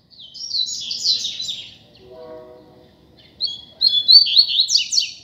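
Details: Tutor song of a free double-collared seedeater in a street: a high, fast chirping phrase, then a brief low harmonic tone in the gap, then another high run starting with whistles and rising into dense chirps.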